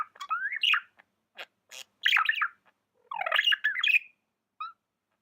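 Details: Tame budgie giving squawky, buzzy chirps mixed with short warbling twitters, in uneven bursts separated by brief silences. A single soft chirp closes the sequence. No other sounds.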